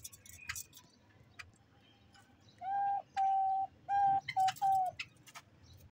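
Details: White-tailed doves in a colony; a run of five smooth, steady hooting coos, each under a second and closely spaced, preceded and dotted by sharp higher chirps from other small birds.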